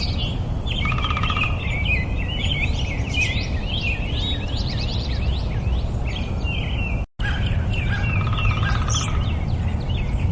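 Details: Common nightingale (Luscinia megarhynchos), song.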